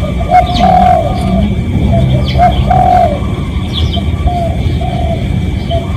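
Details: Spotted dove, a real recording used as a decoy call to lure other doves: low, soft cooing phrases of several drawn-out notes, repeated twice, over a steady low rumble with faint high chirps from other birds.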